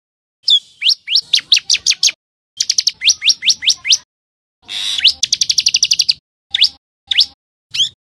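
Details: Common tailorbird giving bursts of sharp upward-sweeping chirps in quick runs, separated by short silences, with a fast rattling run of notes in the middle and single chirps at the end.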